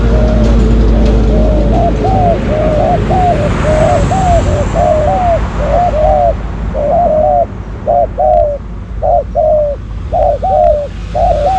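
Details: Spotted doves in a decoy-trapping session: a long run of paired, arched coos repeated about once a second, at times overlapping as if from more than one bird, over hissing noise and a low rumble.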